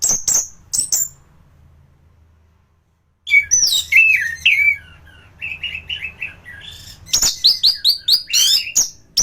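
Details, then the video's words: Thrush (anis) singing in peak condition, recorded as a master for other thrushes: high notes, a two-second silence, then long, varied strings of slurred whistles and rapid, repeated high chirps. "Burung anis gacoran || masteran untuk burung anis"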